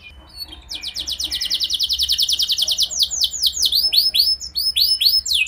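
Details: Canary song used as a lure for other canaries, starting softly, then a fast even trill of repeated notes giving way to looping, arched whistles at a steady pace.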